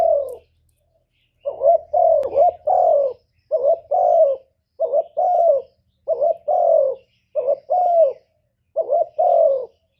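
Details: Decoy spotted dove giving a long series of lure coos to provoke wild doves: low, soft two-part phrases, a short note and a longer falling note, repeated evenly after a brief opening pause.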